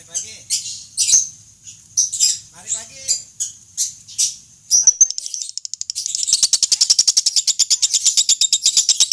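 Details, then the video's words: Lovebird master recording for training contest birds toward the long 'ngekek' chatter style: high, harsh squeaky chirps and squawks in irregular bursts, then a fast, steady rasping chatter of about four notes per second continuing to the end. "Masteran loveBird Juara"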